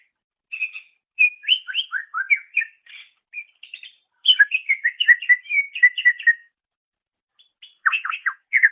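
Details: Greater green leafbird singing, recorded as a master for training songbirds: a continuous lively medley of chirps and whistled slurs, a brief silence, then a final burst.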